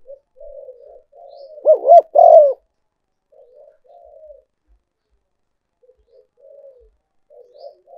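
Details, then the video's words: Spotted dove decoy call for luring birds: soft, low murmuring coos run throughout, broken once by a loud phrase of two quick arched notes and a drawn-out coo, in an otherwise quiet setting. "cu gay moi chuan mp3"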